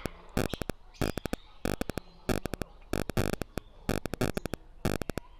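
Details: Sharp percussive beats in quick clusters repeat about once a second like a drum pattern over a faint hum, with no animal voice.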